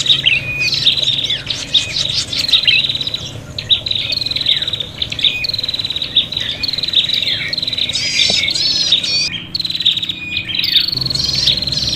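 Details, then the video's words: Agitated prinia fight calls used as a bird lure: stuttering buzzy phrases and sharp high chirps, repeated in quick bursts with brief gaps, several birds overlapping. "suara prenjak pikat ribut tarung"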